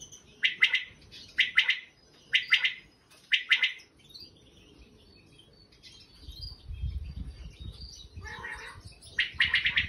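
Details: Wild common quail calling: four short, sharp, rhythmic triple-note bursts about one second apart, then a pause with rustling and low noise, and another burst at the end.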